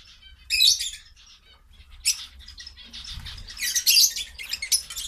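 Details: Several pet quail feeding on vegetables: soft, high chirps in short harmonic bursts, mixed with sharp, broadband pecking and scratching noises and a faint low hum.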